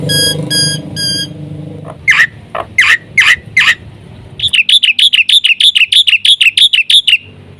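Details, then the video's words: Black-winged myna singing as a training lure for mynas: three pure tonal notes, then harsh broadband squawks, then a quick series of rising whistled chirps. "BURUNG JALAK PUTIH GACOR suara FULL ISIAN terbaik untu PANCINGAN - MASTERAN SEGALA JENIS JALAK"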